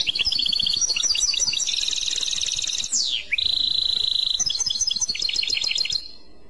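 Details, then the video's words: European goldfinch clochette song, a continuous fast run of bell-like tinkling notes and a long steady whistled tone, with a brief sweeping slur midway, then fading into silence near the end. "تغريد كلوشات Chant Clochette"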